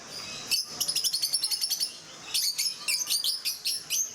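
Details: Rosy-faced lovebirds in Mysore Zoo chatter in two bursts of shrill, high chirps, about seven per second, with harsher, buzzier notes in the second burst; no other sounds stand out.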